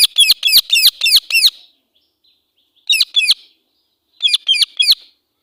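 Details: Angry call of a female Indian ringneck parakeet, a fast run of six shrill grating screeches followed by two shorter bursts of two and four notes after pauses.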